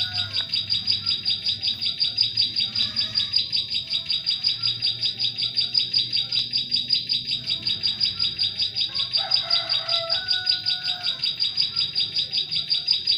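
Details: Song of Bar-winged prinia (ciblek sawah) played to attract prenjak klik in forest: steady, rapid high chips repeated without pause for over thirteen seconds, with a short burst of lower whistles from another bird near the end.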